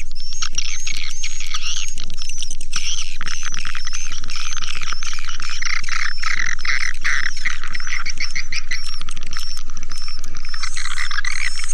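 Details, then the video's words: Lure recording of swiftlets: overlapping buzzy chirps and short trills at high pitch, set against a regular low thud repeating roughly four times a second. "Suara Burung Walet"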